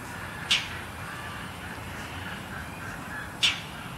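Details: An Indochinese roller in Suan Rot Fai park, Bangkok, Thailand, gives its harsh scolding call while moving between prominent perches: two short rasping notes about three seconds apart over steady background hiss.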